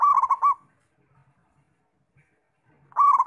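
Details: Local zebra dove singing actively: a loud burst of rolling, bubbling coos with quick pulsed notes, then near silence, then the next phrase starts about two and a half seconds later.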